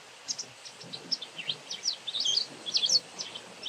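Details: White wagtail calling busily, a fast sequence of short high chirps and slurred twitters with louder doubled notes near the end, against a soft noisy background.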